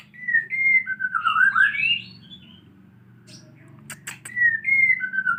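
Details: Captive white-rumped shama learning canary song, recorded after its tail growth: sliding whistled phrases and a warbled flourish, a quiet gap with a few sharp clicks, then more falling whistles; steady low background hum.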